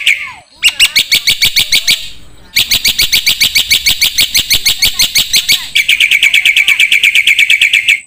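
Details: Black-winged starling song used as a songbird training recording: a short whistle and a few chirps, then long, dense strings of rapid ringing notes that shift in tone partway through.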